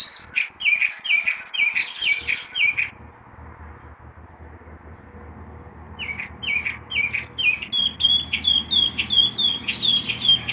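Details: Early-morning song of a chalk-browed mockingbird, given at 6 a.m.: quick series of bright, slurred whistled notes, a pause of about three seconds with a low hum in the background, then more rapid varied chirps.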